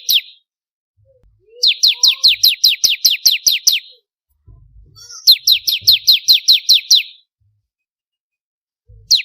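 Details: Ciblek kristal, the bar-winged prinia, singing as training material for songbirds: strings of high, clipped descending notes in rapid succession, two long bursts with a brief start and end fragment, faint low thumps between.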